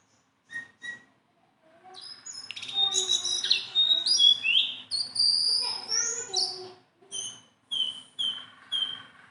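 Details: Tame Sunda bulbul kept as a pet, singing energetically: a few separate chirps, then a rich run of whistled, warbling phrases, ending in short repeated high notes about every half second.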